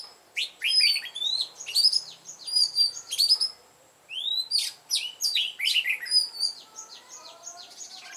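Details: Red-whiskered bulbul lure bird singing a mountain-forest style song to provoke fighting; bouts of bright, choppy whistled phrases with sharp rising notes, a brief pause near midway, then more dense chirping.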